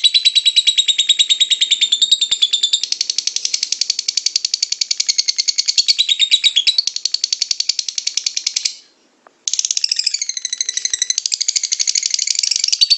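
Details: Lovebird song in the long ngekek style, used to provoke other lovebirds into singing: a dense, high, rattling chatter of rapid buzzy pulses that runs unbroken for almost nine seconds, stops briefly, then resumes just as fast.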